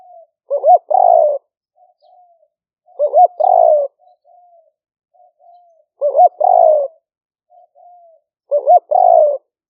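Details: Spotted dove, style called lang fueang, used as a lure call for trapping, live-recorded on a smartphone in rice fields during the rainy season, Roi Et, Thailand: four cooing phrases, each a rolling hoarse coo ending in a drawn note, about every 2.7 seconds, with soft notes between.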